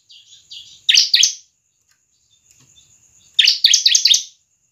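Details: Bar-winged prinia (ciblek) song for luring and training other birds: soft quiet notes, then two loud sharp chirps, a pause, and a fast burst of five or six ringing chirps.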